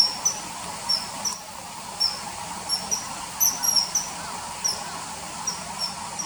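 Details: Shrill short common kingfisher whistles, dubbed onto early September 2020 riverside footage of the bird catching small fish, repeated irregularly through the recording, sometimes in close pairs, over faint continuous noise.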